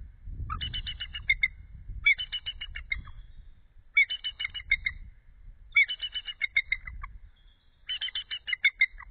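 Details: Around midnight on 8 February 2013, a female eagle away from her egg to cool it calls repeatedly, with her mate answering: five series of fast, high, stuttering chatter notes, every two seconds or so, over low nest rumbling.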